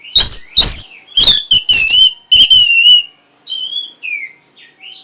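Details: Orange-headed thrush song meant to arouse breeding condition and draw an answer: bursts of loud, rich, strong notes and wavering whistles, followed by softer sliding whistled phrases.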